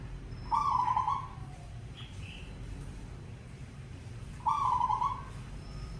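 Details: Zebra dove calling to get other doves singing: two vibrating, trilled coos, each about three-quarters of a second long, spaced roughly four seconds apart, above constant low background hum.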